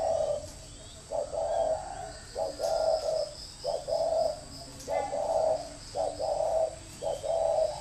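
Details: Decoy spotted dove delivers a run of gruff, evenly spaced coos, about one phrase per second, each a quick lead note followed by a drawn-out, mellow note.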